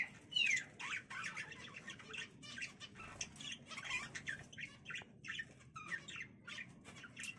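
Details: Zebra finches in a small home breeding cage produce a busy stream of short, buzzy, nasal chirps from several birds, overlapping and repeated throughout against a low hum.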